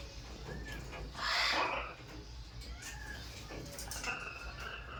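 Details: Macaw giving one loud, harsh, raspy squawk of about half a second, then a few fainter short, slightly rising calls over steady low background noise.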